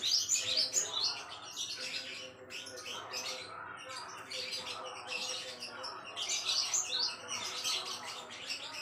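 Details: Java sparrow song meant as a model for training songbirds, delivered in repeated bursts of rapid high chattering and twittering notes, each burst lasting about a second and separated by short gaps.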